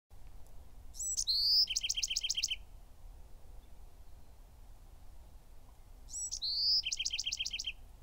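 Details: Bewick's wren singing: two songs about five seconds apart, each a few quick high notes, a bright sustained whistle, then a fast rhythmic trill of about eight paired buzzy notes; quiet background.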